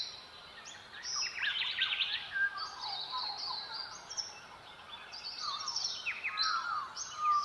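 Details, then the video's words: High, twittering silvereye song at dawn in the Southwest, short jumbled phrases repeating across the chorus, with descending whistles and lower warbles from other birds in the background. "Silvereyes and Dawn Birdsong of the Southwest"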